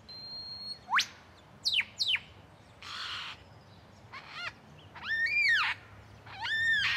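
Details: A male lyrebird in Australian bushfire-hit habitat, seen as a sign of recovery, runs through a varied medley of mimicked sounds: a thin whistle, sharp rising whips, a brief harsh burst, a rapid chattering trill and loud arching calls.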